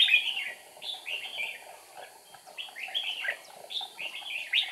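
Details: Decoy red-whiskered bulbul singing during trapping on 8 April 2019 to lure wild rivals; repeated bright warbled phrases about every second, fairly even in loudness, with a steady background hum.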